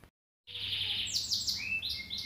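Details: Mozambique-canary hybrid learning song: after a brief silence, a long buzzy high note, then sweeping whistled slurs and short rising whistles at mid-high pitch over a low steady hum.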